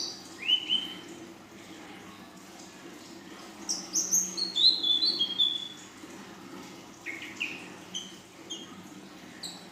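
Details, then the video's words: Female Ashy drongo, young, in full song with long bursts and a golden-grasshopper imitation: scattered sharp whistled chirps, then a mid-clip cluster of quick descending notes, then sparse upslurred chips over a low hum. "Srigunting Abu Paud Betina Full Isian"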